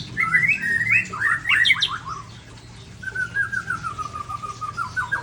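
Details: Big-bodied white-rumped shama from Ujong Pancu, Aceh: a quick, jerky sequence of twisting whistled notes, a brief pause, then a long, level, rapidly trilled whistle that ends in a few clipped notes.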